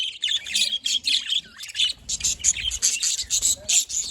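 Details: Several happy budgies chirping and squawking in quick pulsed bursts, harsh rasping notes mixed with high clicks and whistles, roughly four to five bursts per second.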